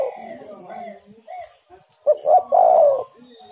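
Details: Spotted dove cooing as bait for wild birds: soft, wavering low coos at first, then a loud, raspy coo with two quick notes leading into a long held tail.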